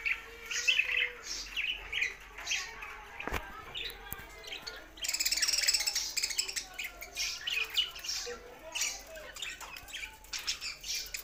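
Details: Budgerigars chatter and warble in a long, varied run of squeaks, chirps and raspy notes, with a loud click and a fuller burst of chatter partway through.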